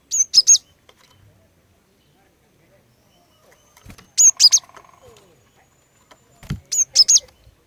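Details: Female cinereous tit calling to entice males to sing: three brief bursts of high, sharp notes a few seconds apart, with low thumps and a faint murmur in the background.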